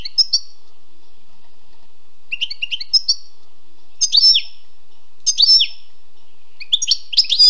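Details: Song of a wild European goldfinch, given in separate short phrases of liquid, twittering notes with sharp downward-sweeping whistles, spaced about a second apart, ending in a busier cluster; no other sounds clear.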